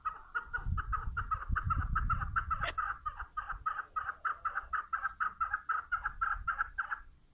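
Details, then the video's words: Female chukar partridge giving a long, fast run of repeated chuk notes that keep an even mid pitch and speed up slightly, with low rumbling noise in the first seconds before fading out at the end. "صدای کبک ماده"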